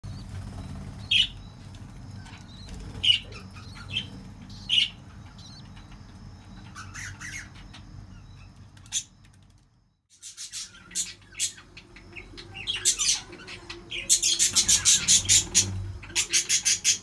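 Budgerigars give sharp, scratchy chirps, ending in a fast burst of rapid chattering notes.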